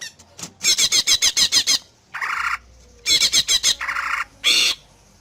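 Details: Greater green leafbird song meant to draw replies from other leafbirds: a rapid train of sharp repeated notes, then a buzzy harsh phrase, another quick run of notes and two rough chattering bursts.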